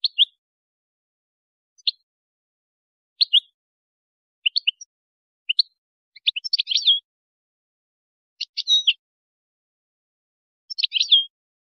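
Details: European goldfinch giving a Moroccan-style song used to tutor goldfinch chicks and hybrids: short high chirps spaced about a second apart, building into denser twittering bursts with buzzy downslurred ends, on a silent background.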